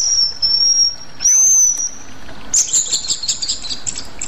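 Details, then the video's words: Rueck's blue flycatcher, found only in Sumatra, gives a long, thin, very high steady whistle, then after a pause a burst of rapid, jumbled high twittering notes. "sikatan aceh"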